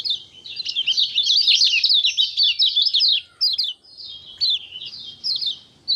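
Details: Common iora (kecial kuning), 6 December 2024, giving a long, busy song of rapid, high chirps and sweeping twitters in a dense stream, then shorter separate phrases repeated roughly twice per second toward the end.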